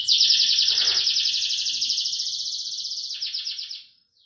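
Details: Canary delivering a strong rolling song: one long, dense, high trill of rapidly repeated notes sustained for nearly four seconds, fading slightly before ending in a brief falling note.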